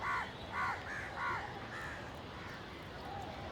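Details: Village crows calling loudly while fighting for food: a quick series of harsh nasal caws, about four close together, fading into softer distant calls.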